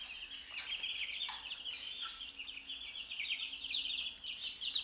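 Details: Fourteen-day-old chicks let out of their brooder in the morning, eating mealworms; a flock of high, thin peeps overlapping continuously, with a brief lower chirp near the middle.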